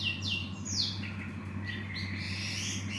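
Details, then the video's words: Cinereous tit (gelatik batu) with clear whistled notes, some sliding down steeply and others held level and slightly rising, over a constant low droning hum. "Burung Gelatik Batu"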